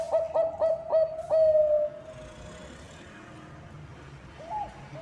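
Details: Zebra dove of the Bangkok perkutut type, sung as a lure to prompt other birds: four rapid, clipped coos running into a drawn-out trailing note, followed by quiet, then a brief rising coo near the end.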